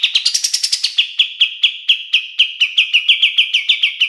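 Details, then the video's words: Kapas tembak bulbul singing as a training master song: a quick run of higher notes gives way to spaced, sharp, slurred chirps repeated roughly three times a second. "SUARA KAPAS TEMBAK SUPER JERNIH UNTUK MASTERAN BURUNG JUARA"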